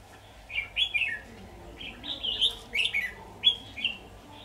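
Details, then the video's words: Red-whiskered bulbul singing during trapping with a decoy bird, 23 October 2019: a lively run of short chirping, warbled phrases repeated several times a second, quiet low background hiss. "Bẫy chào mào"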